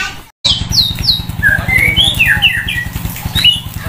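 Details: White-rumped shama caged for sunbathing at a roadside, giving clear high slurred whistles and a few sharp notes over a steady low engine-like hum.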